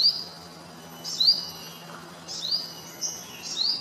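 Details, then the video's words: Olive-backed sunbird, also called yellow-bellied sunbird, singing while sipping nectar: thin high upslurred notes, each preceded by a soft buzzy burst, repeated roughly every second over a steady low hum. "Yellow bellied sunbird (Cinnyris jugularis) singing and sipping nectar"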